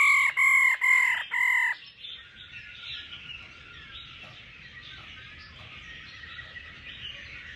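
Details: Laughing thrush, with a female calling to excite a male into song: four strong, nasal, closely repeated notes in under two seconds, followed by a long, faint, steady twittering murmur.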